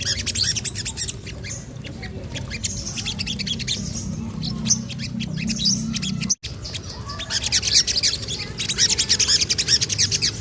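A Sogon sings in fast, busy bursts of high, sharp chirps and squawky notes, about three per second, over a steady low hum.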